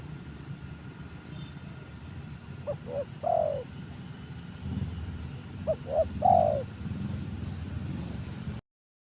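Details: Trained spotted dove used for luring wild doves, cooing: two phrases, each of short soft notes followed by a louder drawn-out coo, separated by a few seconds of quiet, low background rumble.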